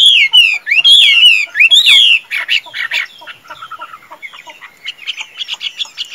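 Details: Tame caged Chinese hwamei, a good singer and fighter, giving loud whistled song: sweeping slurred notes repeated about once a second, then a run of rapid varied chattering and mimicry-like phrases.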